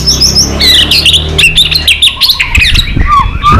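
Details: White-rumped shama, chòe lửa, stirred to a fierce fighting song: dense, rapid burst of varied high whistles, chips and buzzy notes, with low rumbling background noise and clicks partly masking it.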